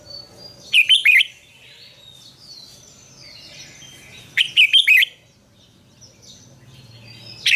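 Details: Morning song of a Red-whiskered bulbul in the double-note style of a mature wild bird, meant for training caged birds. Two brisk bursts of bright chirps come about four seconds apart. Soft whistled calls from other birds and a low hum sit beneath.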